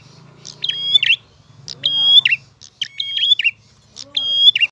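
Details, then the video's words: Clear prinia song in the gacor ngalun manner, with four phrases of held high whistles ending in buzzy slurs. A faint human voice murmurs low in the background. "Prenjak Gacor Ngalun. Suara jernih."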